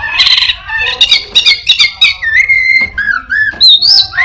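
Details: Orange-headed thrush singing imitations of other birds and a cat: a harsh buzzy opening, then quick stuttered chirps and a long steady whistle falling into short slurred notes, with faint low background hum.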